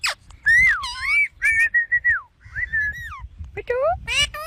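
A ringneck parrot gives a string of clear, slurred whistles that swoop up and down, broken by short chattering, speech-like phrases.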